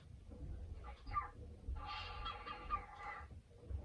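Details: Pet male cockatiel in its cage indoors, chattering while it waits to play as its owner cleans the house. A burst of raspy, harmonic chatter rises and falls over about a second and a half, with faint household background.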